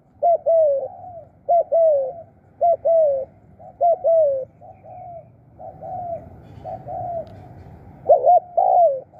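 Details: Spotted dove decoy luring wild doves, calling in khrun style: regular two-part coos, short then long and falling, that fade into softer, more distant answering coos before a loud close pair returns.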